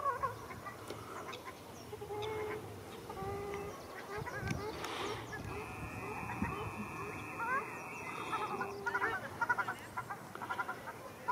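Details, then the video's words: Ruddy shelducks fighting at Arucas, Gran Canaria, on 13 February 2021: a noisy jumble of short harsh honks and clucking notes, with a drawn-out higher nasal tone partway through and rapid scattered calls near the end. "Pelea de Tarros canelos"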